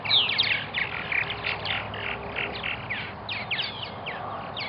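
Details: Purple martins calling at their nesting colony in Melbourne, Florida, a fast continuous chatter of short chirps and gurgles, about four per second, over constant background noise.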